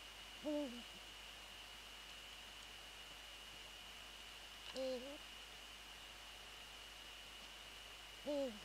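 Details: Eurasian eagle-owl calling near its nest at night on 13 January 2014 at 21:05, during a prey transfer: three short, nasal, bent calls, each under a second, spaced about four seconds apart, over a steady high electrical whine.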